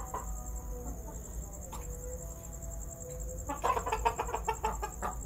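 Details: Red golden pheasant calling: after quiet opening seconds, a quick burst of about ten harsh, clipped clucks runs to the end, with faint whistled bird notes and a steady high insect hum behind.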